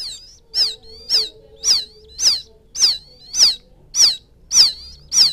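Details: Field quail chick crying for its mother: steady, evenly spaced high peeps, each sliding down in pitch, nine or ten in five seconds, clean and loud.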